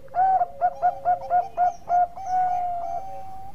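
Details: Bangkok-type zebra dove singing strongly, a tutor recording for training other birds: about eight quick, even cooing pulses, evenly spaced, then one long sustained whistled note that slowly fades.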